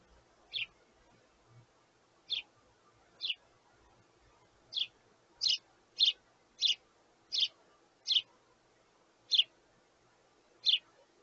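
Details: Sparrow chicks begging their parents for food: twelve short, high, sharp chirps at uneven spacing over about eleven seconds, with the calls bunching closer together in the middle and a faint low rumble underneath.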